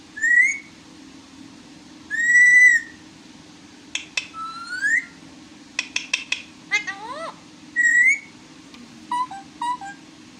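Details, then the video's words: Parrot talking: bursts of speech-like chatter made of short whistled notes, rising squawky slurs and quick clicking sequences, spread across about ten seconds with pauses, over a steady low indoor hum. "Mithu Sab Kch Bolta Hai | Parrot Ki Baten"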